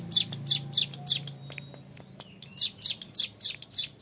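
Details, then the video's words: Young hill prinia (ciblek gunung) giving a clear ngebren song: bursts of high, thin, downward-sweeping chips at about three per second, with a brief quieter gap midway and faint low hum beneath. "MASTERAN CIBLEK GUNUNG MUDA GACOR NGEBREN PANJANG SUARA JERNIH"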